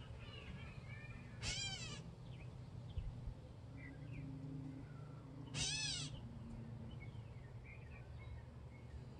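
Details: Gray catbird calling at a feeder: two separate harsh, nasal mewing notes about four seconds apart, each roughly half a second long, over a steady low hum of background noise.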